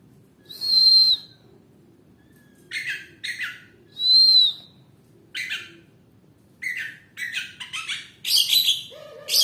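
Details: Oriental magpie-robin in full song: clear whistled notes that rise and fall near the top of its range, mixed with rasping, buzzy bursts and short harsh chatters in an irregular, varied sequence, over a faint low background hum.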